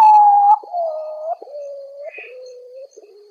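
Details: A potoo (urutau, Nyctibius), a nocturnal ghost bird, sings at midnight a mournful series of five long whistled notes, each under a second and stepping lower in pitch; its song is said to be a death omen.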